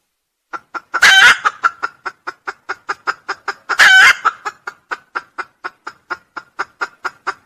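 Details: Red junglefowl crowing, a recording used as a trapping lure: a steady run of short, evenly spaced clucking notes, about four a second, broken twice by a loud, harsh, ringing crow burst.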